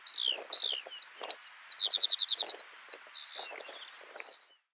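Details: Eurasian skylark (Alauda arvensis) song at Tignes, France, in May 2022: a high, unbroken warble of slurred arched notes and buzzy trills, with a quick run of about eight clipped notes.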